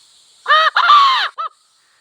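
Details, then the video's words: Wild junglefowl hen or cock from village life: two loud, harsh, drawn-out notes that arch downward, followed by one short clipped note, with a faint high hum behind. "Sound of wild hen and cock"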